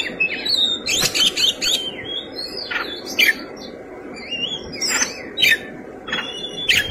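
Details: Oriental magpie-robin fighting song with rich fill material: clear whistled phrases broken by sharp, rasping bursts roughly every second, some notes sliding down, others flat and sustained.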